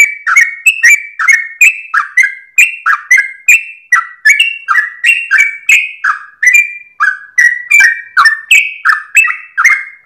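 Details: Sooty-headed bulbul singing at dawn, a bird kept for training cage birds: loud clear whistled phrases around mid pitch, each note dropping then rising, repeated rapidly and steadily for the whole ten seconds with no other sounds.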